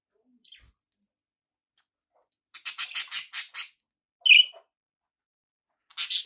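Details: Budgerigars kept as pets give a quick burst of about seven scratchy, chattering notes, then one bright, strident chirp, then more gritty chatter after a short silence.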